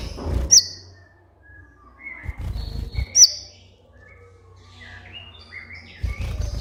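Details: Van Hasselt's sunbird, a master song for training captive birds. Two piercing high notes about three seconds apart, followed by rising and falling thin whistled phrases. Low thumping sounds at intervals.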